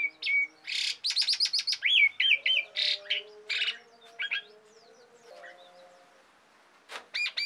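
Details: Asian pied starling in full song, used as a lure and tutor for other cage songbirds: rapid clicking trills and short whistled slurs, then a near-silent stretch with a low drone before a final sharp note.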